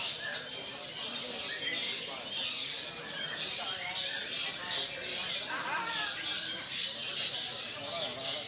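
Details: Long-tailed shrike, a contest bird, singing in a bird singing competition: dense rapid chattering and scratchy warbled phrases high-pitched, mixed with many other competing birds and crowd chatter throughout.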